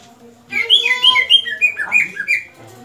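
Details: Greater green leafbird (cucak ijo), in a clip about the right moment for song mastering: a run of clear whistled notes sliding up and down, some buzzy, with faint low speech before and under it.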